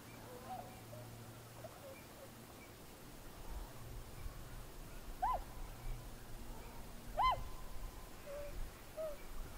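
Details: Tundra swans on water, recorded January 31, 2016 on a Panasonic DMC-FZ300 with external microphone; two clear honking, rising-falling calls about two seconds apart, plus a few fainter calls over a steady low hum.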